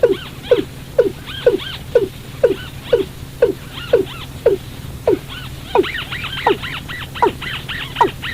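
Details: Lure call of the watercock for catching birds after dark. Steady series of quick, descending hollow notes, about two per second. Dense higher arched chatter builds in the second half over a low background hum.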